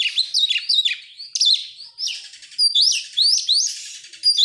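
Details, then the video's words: Oriental magpie-robin singing as a lure for other songbirds, a dense varied stream of sweeping whistles, scratchy slurs and thin high notes delivered with little pause. "buat pancingan Kacer sangat top buat burung mewah"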